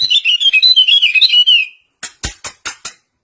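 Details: Common iora in a singing contest between two birds: a quick, twittering series of high whistled notes lasting under two seconds, followed by five loud, sharp clicks.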